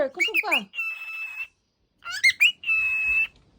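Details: Cockatiel calling while waking up: bursts of chirpy squawks and quick rising-falling notes followed by a long steady whistle-like buzzy note, in two phrases separated by a short silence; the first burst shows speech-like sounds.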